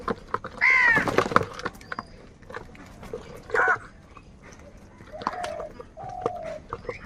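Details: Crows fighting over food give harsh, hoarse caws in two loud bursts: a long ragged call near the start and a shorter one midway. Softer nasal calls and scattered clicks and taps follow.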